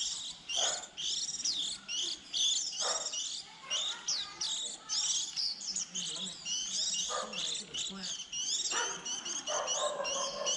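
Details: Early-season young white-eyes near nest-leaving time, the kind of recording used to lure birds into traps: busy, high, thin chirps and wavering twitters come in bursts separated by brief pauses, with a faint lower hum underneath.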